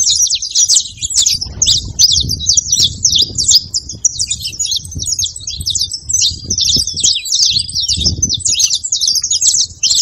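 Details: Saffron finch in sustained song to stir a silent canary, a long, dense stream of piercing chirps and trills with soft low-frequency noise underneath.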